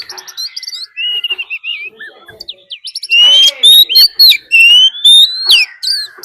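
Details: Oriental magpie-robin decoy bird giving a fighting song, mixed with a wild female's call, used to rouse other birds: varied sweet whistles, rising slurs and trills, growing louder and denser after three seconds with quick bright notes.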